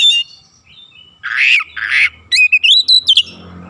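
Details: Oriental magpie-robin lure song to make birds respond fast and sing fully: an opening whistle, two harsh rasping notes, then a quick series of bright whistled notes sliding up and down.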